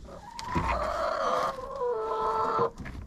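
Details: A chicken in a coop, picked up by a GoPro set inside, gives a drawn-out, tonal call lasting about two seconds that steps down in pitch midway. Quiet rustling of other birds is in the background.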